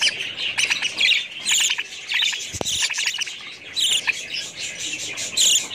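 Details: High, busy budgerigar chatter of rapid chirps and scratchy warbles, broken by a single soft thud.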